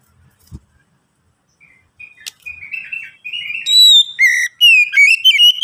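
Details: Oriental magpie-robin singing as a lure so other magpie-robins start quickly: quiet chattering notes build into loud pure whistles and rapid warbled phrases, with a sharp click early on.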